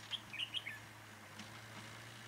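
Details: Red-whiskered bulbul at a trapping site at Chùa Hương, Vietnam, on a cold windy day, 9 December 2017, with decoy birds; a rapid run of four or five sharp, warbled whistles in under a second over low hum.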